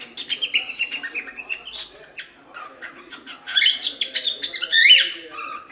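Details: Cockatiel performing its natural song, played to train chicks: rapid repeated chirps and whistles, then a louder burst of warbling, swooping whistled notes.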